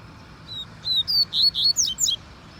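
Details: Double-collared seedeater singing: a short phrase of thin, high whistled notes, starting with two soft separate notes and building to a quick run of sharper, slurred notes, over low steady background noise.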